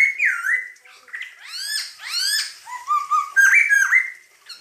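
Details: Masked laughingthrush, or poksay hongkong, in full loud song: a dipping whistle, then quick harsh upward-sweeping rasps, followed by rising whistled notes and bright warbled phrases ending in a level whistle.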